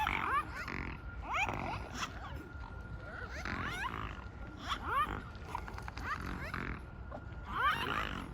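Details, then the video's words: Strange swan noises: a busy flock chorus of short, hoarse, trumpeting notes that bend up and down, several birds calling over each other, steady background hum underneath. "Strange swan noises"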